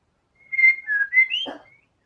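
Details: White-rumped shama in vigorous song, showing its filler material: a short run of clear level whistles, one dipping lower and one rising higher, ending with a brief rough burst.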